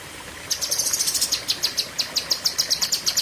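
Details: Lesser green leafbird (cucak kinoi) launching a nearly three-second 'pedes panjang' tembakan: high, thin, sharply repeated notes that begin fast and then space out slightly.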